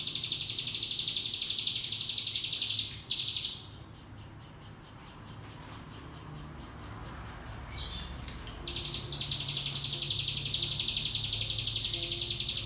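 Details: Cigun, the Javan white-eye, singing a lure meant to teach young birds 'ngebrem' song: long stretches of shrill, rapidly pulsed trilling, broken by a short pause and a quieter gap midway before the trill resumes strongly.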